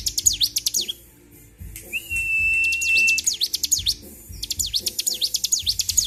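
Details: Bar-winged prinia in high agitation, 26 February 2023, singing rapid high sharp chirps, interrupted by a long, steady, level whistle before the fast chirping resumes, with low background knocking.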